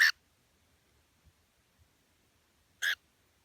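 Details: Pet cockatiel at home, ignoring its owner's calls: two short, loud, harsh squawks, one at the start and another near the end, separated by near silence.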